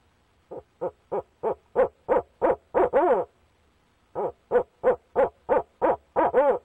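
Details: Barred owls, a pair, at their nest box: the male calls to the female from the box. Two runs of rapid, regular hoots, each run swelling and ending in a louder, descending quavering hoot, separated by a brief pause.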